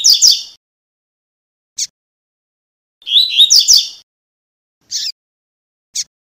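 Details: A fast-singing "tuí tuí" double-collared seedeater, used as a tutor to teach young birds, sings bright, high twittering phrases separated by short, sharp whistled notes.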